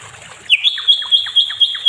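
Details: Nightingale, locally called sikatan londo, in a training recording for other songbirds: after a brief quiet start, a sharp rising note leads into a steady high whistle with short lower chips dropping in about every eighth of a second.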